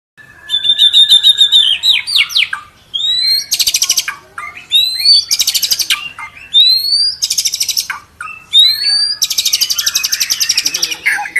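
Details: White-rumped shama lure song for prompting a bird to sing its varied repertoire: loud, high whistled phrases with rapid trills, upslurred notes and buzzy chattering bursts, delivered in energetic bursts separated by brief pauses.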